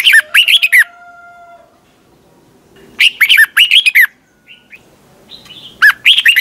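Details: Red-whiskered bulbul competition singing in twisted voice, for training and luring birds: three bursts of fast, clear, swooping whistled notes, with a soft warble and faint chirps between them.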